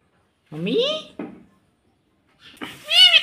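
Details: Pet green ringneck parrot indoors saying "mummy" in a shrill, harmonic voice, two syllable bursts, a pause, then another louder rising call.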